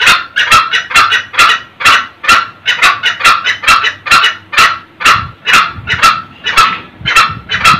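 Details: Red junglefowl pair, male and female, cackling ngekek for luring old wild cocks at first light; a steady run of rough, clipped kek notes, roughly two each second, with no other clear sounds.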